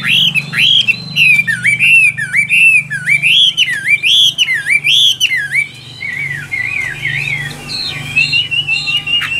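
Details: Caged Vietnamese Chinese hwamei singing strongly: repeated looping whistles that rise then fall, about one and a half per second, shifting midway into faster, higher warbled trills with a faint low hum behind.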